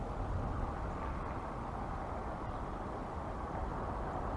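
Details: Steady low rumbling noise like wind or distant traffic fills the whole stretch, with no animal heard.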